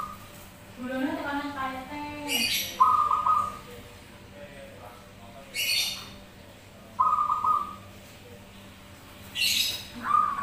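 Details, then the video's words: Answering song of zebra doves from a lure recording: one rolling, stuttered low coo early on, then repeated short buzzy higher notes, each followed by a harsh hissy burst, roughly every three and a half seconds. "Perkutut Manggung Bersautan"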